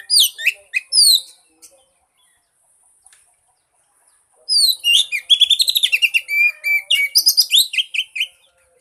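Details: Kacer, the Oriental magpie-robin, in a prompt recording to start a silent bird singing: short swept whistles, a pause, then a long, rich outpouring of rapid trills, warbles and repeated whistled notes.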